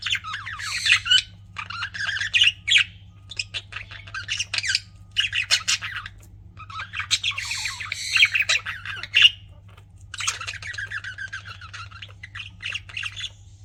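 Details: Loud, close pet budgies in a lively warbling chatter: dense bursts of scratchy, buzzy chirps and squeaks lasting one to two seconds, separated by short pauses.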